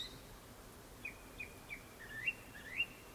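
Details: Soft Japanese thrush phrase before sunset: a few quiet, short whistles, then two dipping, upward-swooping notes and a final high chirp.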